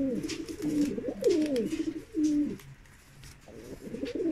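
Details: Mukhi domestic fancy pigeon: a run of deep, rolling coos with falling slurred notes, a pause of about a second, then the cooing resumes.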